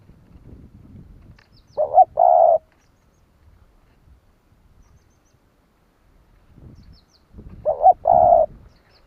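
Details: Spotted dove cooing to provoke other doves into calling: two coo phrases about six seconds apart, each a short two-part note followed by a longer, steady, throaty coo, over a faint low background rumble.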